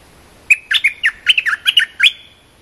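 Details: Cream-vented bulbul training song for young birds: a single quick, cheerful phrase of about ten chirpy, bouncing notes that ends on a drawn-out thin whistle.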